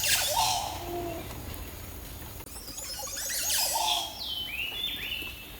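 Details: Montezuma oropendola: loud liquid gurgling bursts with noisy rushing sweeps, then a series of descending slurred whistles, against steady background noise.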